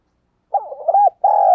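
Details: Decoy spotted dove cooing readily to challenge rivals. A quavering hoot leads into the start of a long steady coo, which is cut off abruptly at the end.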